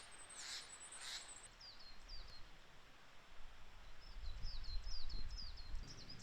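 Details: Coal tit (Periparus ater) in Japan in April, singing thin, very high two-note phrases repeated quickly in bursts, over a steady low rumble of wind or distant noise.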